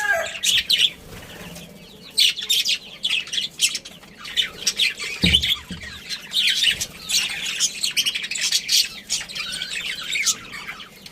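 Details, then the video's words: Chirping budgerigars, part of a breeding pair and family, giving continuous scratchy, warbling chatter in irregular bursts, with a low thump midway. "Cute Budgies Chirping Sounds"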